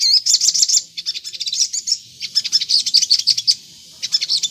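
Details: Crimson Sunbird (sogon) lure song: clusters of sharp, high, ringing chirps and short trills broken by brief silences, meant to make other sogon birds reply.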